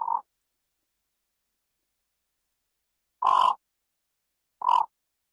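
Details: Harsh, grating croaks from a yellow bittern: one brief call at the start, then after a long pause two rasping notes over a second apart; no other sounds.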